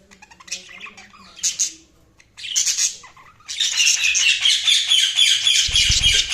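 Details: Budgerigars chirping: a dense mix of rapid squawky warbles and high twittering notes, growing into continuous busy chatter with brief low thumps near the end.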